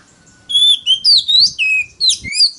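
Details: Oriental magpie-robin singing loudly in a competitive song used to draw rivals: sequence of pure whistled notes, rising and falling slurs, about seven notes in under two seconds, with a faint low hum.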